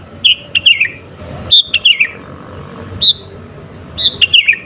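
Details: Natural sooty-headed bulbul song used as a lure to provoke rival birds; clear whistled notes each followed by quick descending chirpy trills, in irregular short phrases.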